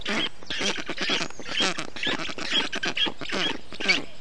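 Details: Nestling black storks in Estonia, 20 June 2021, calling in a changed way to show they are fine after the male cools the hot nest with water and wet grass. Rapid, hoarse, quacking notes repeat about twice a second.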